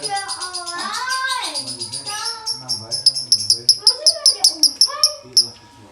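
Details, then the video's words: Human speech opens, then a male lovebird cuts in with dry konslet chirping, a fast series of sharp, high-pitched clicks and tweets that grows louder toward the end. "Lovebird jantan konslet nada kering"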